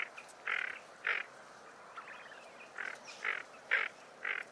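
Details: Tufted duck: short harsh, rasping bursts, singly and in pairs, irregularly spaced about two per second, with a faint bubbling sound between them and a quiet background.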